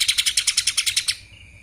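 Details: Brief, rapid run of about a dozen loud, shrill chirps from a lesser green leafbird singing kapas tembak phrases, trailing off after one second.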